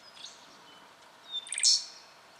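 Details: Striated pardalote calling in Victoria, Australia, October 2011: after a faint thin whistle, a short, sharp, high burst of clipped notes rings out near the end, over soft background hiss.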